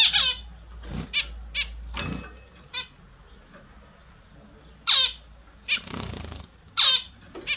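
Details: Several caged Australian zebra finches at a morning bath trade brief nasal honks and beeps at irregular intervals, with soft splashing and wing noise low underneath.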